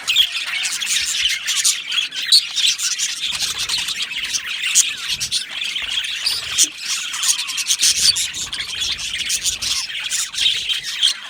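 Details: Happy budgerigars in a colony aviary, an unbroken mass of high chirps, squeaks and harsh squawks from many birds calling at once.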